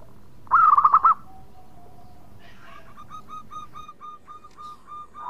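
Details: Native local zebra dove delivering a trilled, wavering coo phrase, then after a pause a long, steady row of short, evenly spaced coo notes, with a faint hum in the background.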